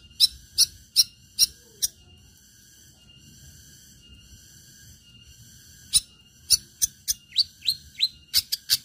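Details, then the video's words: Long-tailed shrike in a fierce, fighting-style song used to draw other shrikes into singing. Harsh sharp clicks come in rapid bursts, then a pause, then faster clicks mixed with rising whistled slurs. "Cendet gacor Tarung Tajam Bikin cendet lain terpancing ikut Gacor"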